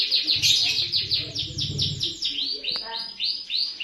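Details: White-rumped shama, a melodious songster and mimic of other birds, singing as a lure to prompt birds into song. Rapid, high, upward-sweeping notes come in quick succession over a low droning hum.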